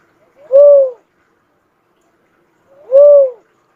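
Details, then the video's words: Cuckoo-dove calling two separate mellow coos about two and a half seconds apart, each short, smooth and arched in pitch, with silence between them. "suara burung uncal asli mp3"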